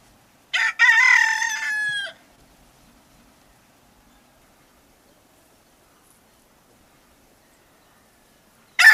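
A single hoarse crow from a male Red Junglefowl, about one and a half seconds long, choked off abruptly at the end; then quiet until another crow begins.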